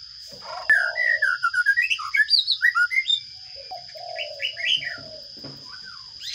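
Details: Sparrow chicks begging while being fed in a nest box: a rapid burst of short chirps, about three per second, rising and falling in pitch, over a steady electronic hum.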